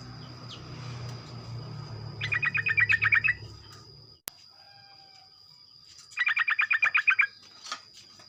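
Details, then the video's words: Sooty-headed bulbul singing in the morning to stimulate others: two rapid runs of about ten bubbly notes, the first over a low rumbling hum, the second after a sharp click and in a quieter background. "ocehan trucuk pagi hari, merangsang trucuk lain ikut bunyi ropel"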